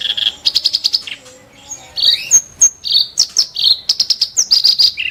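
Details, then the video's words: Harsh, sharp 'tembakan' song of a kerak basi: grating rasping notes in short rapid bursts mixed with thin high whistles, separated by brief gaps. "burung KERAK BASI tembakan tajam & kasar"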